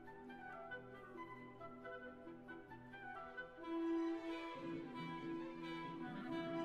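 Orchestral music with clarinet- and flute-like woodwind lines over sustained tones, growing fuller and louder about halfway through, with no animal voices.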